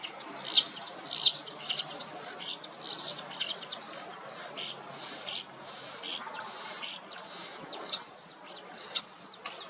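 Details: Male common starling in Hrodna city, western Belarus, on a sunny 12 March 2026, singing while following a female, then from a low perch: high clear whistles sliding down, repeated roughly every half second, mixed with scratchy chatter.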